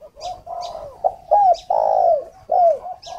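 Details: Luring decoy spotted dove at a bird garden near Ba Vì, Hanoi: loud, close, husky coos with strong downslurred notes, accompanied by short high chirps from another small bird repeated roughly every second.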